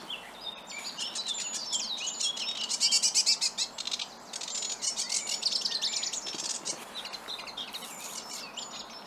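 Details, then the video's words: Unseen male sedge warbler, newly arrived in early May, singing from deep scrub at Toad Holes Beck, Oakenshaw, Bradford: a fast, scratchy, chattering song mixing harsh churrs with sweeter trills and rapid repeated notes, high-pitched and varied. "Sedge Warbler (unseen) singing"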